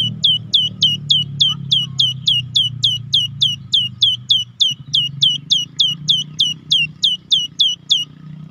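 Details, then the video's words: Cinereous tit singing a long rolling series, a lure for tits reluctant to sing: sharp hooked high notes repeated about three times a second, steady and unbroken, over a low background hum. "Gelatik wingko Langsung Nyaut || Solusi Gelatik malas bunyi Buktikan !!"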